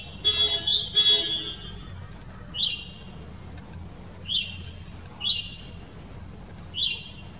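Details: Male Taiga flycatcher in India moulting into breeding plumage in spring gives four short, high, down-slurred call notes one to two seconds apart, after two loud, steady electronic-sounding tones at the start.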